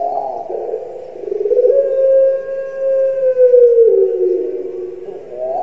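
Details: Barbary dove of the puter pelung type, a kept bird, played to make other birds call; long, smooth, low coo held for several seconds, swelling and sliding gently upward then down, with a short opening note.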